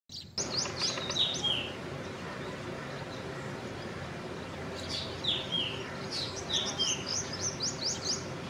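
A black drongo gives bursts of sharp, high, metallic notes, some swooping downward, in two clusters with a quiet gap between; steady background hiss throughout.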